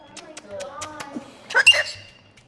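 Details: A pet male galah cockatoo chatters indoors in speech-like, human-sounding syllables, ending in a couple of harsh, loud screechy bursts, over quiet room tone.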